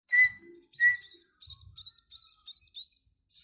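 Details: Munia chicks being hand-fed beg with wavy, high chirps that come in quick clustered bursts, opened by two short, steady whistled tones.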